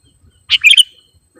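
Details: Calling sooty-headed bulbul on a trapping lure track: one crisp, cheerful phrase of a few rapid, slurred chirps, clean and brief, with near silence around it.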